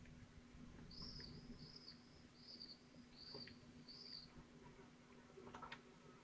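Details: Twelve-day-old falcon chicks in Théding, 22 June 2023, trying to swallow large prey. Five evenly spaced, thin high whistles about every seven-tenths of a second, soft against a steady low hum, followed by a few clicks.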